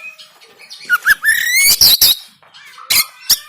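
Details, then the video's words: Caged-bird training song of an oriental magpie-robin, Banten, Android phone: twisting whistled notes climbing upward, a block of rapid harsh buzzy notes, then two sharp snaps. "KACER TEMBAKAN KASAR‼️Full Emosi Dongkrak Kacer Yang Malas Bunyi Dan Buka Ekor"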